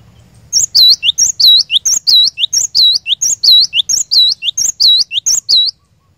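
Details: Cinereous tit (glatik batu) lure song meant to set a caged bird singing continuously: high, bright two-part whistled phrases sung rapidly for about five seconds, each a short upslurred note followed by a looping dipped note.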